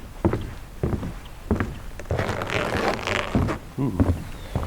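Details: Heavy footsteps and dull thuds, with a burst of rustling in the middle, and no animal calls audible.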